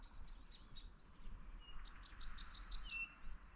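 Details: Yellowhammer sings a quick run of thin, high repeated notes, breaking off mid-song, over steady low rumble and faint chirps; 17 February 2024 in an exceptionally warm, wet winter after a rainy night, with logging activity nearby.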